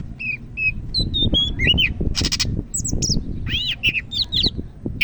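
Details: Greater green leafbird, Medan variety from North Sumatra, singing energetically: clear level whistles, then rising-and-falling slurs and buzzy rattling bursts in fast succession over heavy low-pitched background noise.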